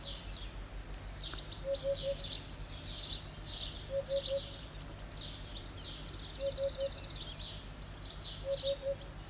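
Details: Insistent song of a hoopoe sitting on a roof tile: four separate bursts of three quick, soft, low hoots spaced about two seconds apart, with constant high twittering of other birds around.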